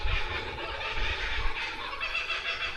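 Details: Kookaburras going crazy and laughing in vegetated, rocky bushland in Australia during a land survey; a dense, raucous chorus of cackling and chattering fills the clip, with low rumbling handling or wind noise underneath.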